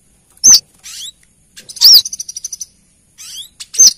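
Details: A female brown-throated sunbird calls the male in lure audio: loud sharp chips open and close the passage, with short buzzy rising notes and a rapid ticking trill between them.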